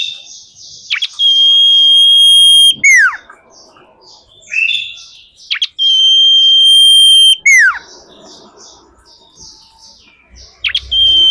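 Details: Common iora female call played as a lure: long steady pure whistles, each ending in a quick falling slur, repeated three times at intervals of about four seconds, with softer chatter between.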